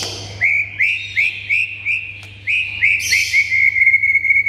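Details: White-rumped shama (murai batu) song aimed at making stalled shamas sing: evenly spaced short upslurred whistles, roughly four per second, then a longer level whistled note with soft trills, over a low steady hum.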